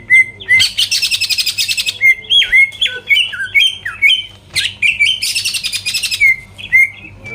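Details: Greater green leafbird singing vigorously with beak open, a lure song to provoke rival birds: dense buzzy chattering bursts alternate with clear slurred whistles that rise and fall, plus short repeated whistled notes, loud and close.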